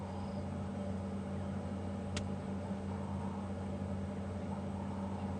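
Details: Steady low engine hum from a vehicle on an evening safari drive at Djuma Game Reserve, broken by one sharp click near the middle, with no animal voice heard.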